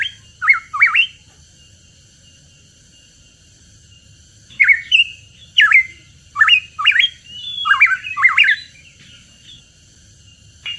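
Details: Lure recording of a hooded pitohui: a brief burst of whistled, downslurred notes, a few seconds of silence, then a longer series of loud whistled notes that dip and rise sharply, delivered in quick succession.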